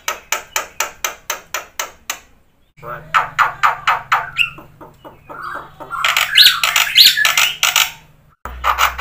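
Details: Black-winged myna in vigorous 'gacor' song full of 'isian' filler phrases, played as a lure for silent birds: a run of harsh, evenly spaced rasping notes, a short pause, then denser scratchy chatter with brief whistled accents.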